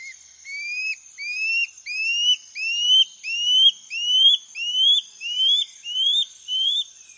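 A Common Scale-backed Antbird sings a series of about ten upslurred whistles, each a little higher than the last, with a steady high insect whine behind.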